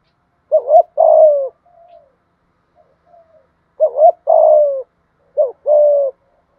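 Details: Spotted dove kept as a cage bird, cooing thúc gù style in a thổ voice: three mellow phrases, each a quick bouncing double note followed by a longer, gently falling coo, with soft murmured notes in the gaps.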